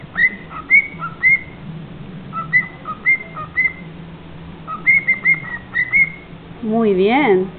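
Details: A cockatiel whistles the learned folk-dance tune 'La Raspa' (the Mexican Hat dance) in clear, short rising notes.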